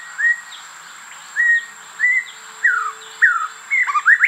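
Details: White-rumped shama in rainforest at Cat Tien National Park, Vietnam, apparently trying hard to start a proper song: clear, slurred whistles around two kilohertz, about one every half-second to second, ending in a faster rising-falling flourish over a steady high insect hum.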